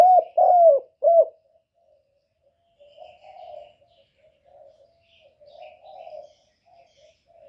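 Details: Lure spotted dove kept for trapping, cooing to stir up and pull in wild doves. Three strong, deep coo notes open the recording, then a long stretch of quiet, low, wavering murmurs before a final coo begins.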